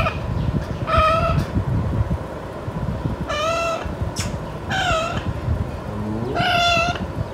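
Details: Five-month-old pet Alexandrine parakeet, not yet talking, restless in its cage and calling when its owner says bye-bye and leaves: four loud, ringing, half-second squawks one to two seconds apart, over a steady low rumble and a brief lower rising note.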